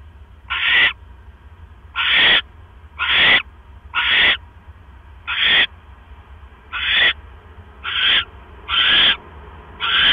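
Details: Nighttime owl nest scene, October 12, 2015 at 9:40 PM, with a mouse being delivered; a long series of about eleven brief, raspy hisses, irregularly spaced, some closely paired, above a quiet steady hum.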